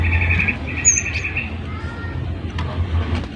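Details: Cinereous tit in good singing form, played so other birds join in: rapid buzzy trilled phrases in two bursts, a thin high whistle, then fainter notes over a low rumbling background.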